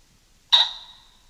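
A pheasant gives a single harsh, hoarse squawk that fades quickly. The rest is near-silent.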